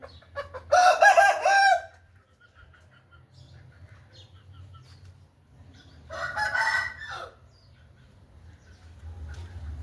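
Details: Aseel chicken giving two loud hoarse crows several seconds apart, the first stronger and longer, with low background hum between them.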